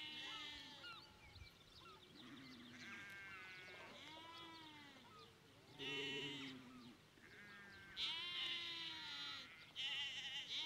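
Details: Adult Rosy Starling at Lizard Village, Cornwall, giving wavering, bleat-like whistles mixed with harsh rasping bursts every couple of seconds, in a busy, chattering sequence.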